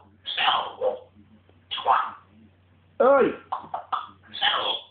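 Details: Pet African grey parrot going a bit mental, giving a run of chattering, talk-like squawks and clipped chirps, some with stacked tonal bands, in uneven bursts over a faint hum.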